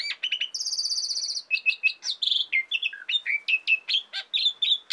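An Asian pied starling sings a rapid, varied medley of whistles, chatters and a harsh buzzy rattle, notes tumbling every fraction of a second.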